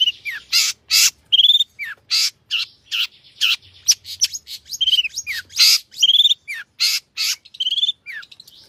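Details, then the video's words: Cendet, or long-tailed shrike, delivering a busy, varied song mixing loud harsh buzzy bursts with short falling whistled slurs and clear rising notes, repeated in rapid alternation throughout. "cendet gacor isian mewah"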